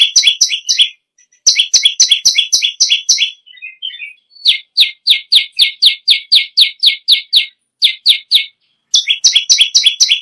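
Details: Kept bar-winged prinia in nonstop song, used as a tutor bird: fast trains of piercing doubled chips in bursts, separated by short pauses and a few soft twittering notes, a clean recording with no background noise.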